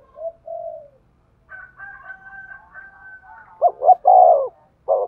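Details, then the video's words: Spotted dove cooing for stimulating a male: soft coos, a thin rooster-like crowing in the middle, then a loud phrase of short notes and a long hoarse coo. "tiếng chim cu gáy thúc gù, tiếng chim cu gáy kích bổi"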